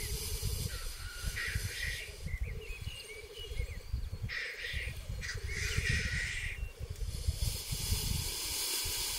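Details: Male black grouse displaying at a lek in 2023, the ritual of fights and matings: rolling bubbling song throughout, broken by several harsh hissing bursts, with rumbling wind noise underneath.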